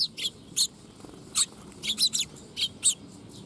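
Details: Young Eurasian tree sparrow, recorded 22 August 2021, giving short, high, sharp chirps in scattered single notes and quick pairs, about nine calls over three seconds against a quiet background.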